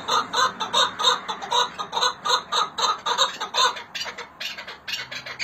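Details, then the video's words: Chukar partridge call, Hakkari and Dersim birds: rhythmic throaty chuk notes repeated steadily for about four seconds, then trailing into scattered softer notes over a faint low hum. "Hakkari Dersim Keklikleri Muhteşem Ses"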